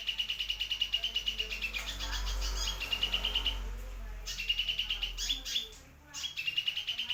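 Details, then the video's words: Sunbird singing actively, used as a tutor song for white-rumped shamas and oriental magpie-robins: fast bursts of high, thin chirps repeated about three times a second, broken by short pauses, over a low steady hum. "BURUNG KOLIBRI MERAK/ GUNUNG GACOR COCOK BUAT MASTERAN MURAI / KACER"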